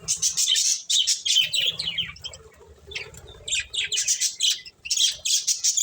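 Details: Corn-eating pet budgies give rapid, buzzy chirps, about three notes a second, with a softer murmuring stretch in the middle and faint low rumbling beneath.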